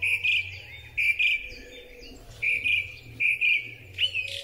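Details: Song thrush in spring song, recorded with a phone: loud, clear whistled phrases, each a short cluster of bright notes, repeated with brief pauses over a steady low hum.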